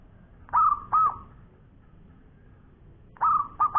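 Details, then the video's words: Local perkutut, or zebra dove, in lively song: short paired bursts of soft cooing notes, a pause of nearly two seconds, then another quick double phrase. "Bunyi Perkutut Lokal Gacor Suara Panjang Juara"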